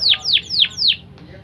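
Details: Canary of a BBSF x Berner cross, tutored on blackthroat song, gives four bright, falling whistled sweeps spaced about a quarter-second apart, then stops; a soft low hum remains.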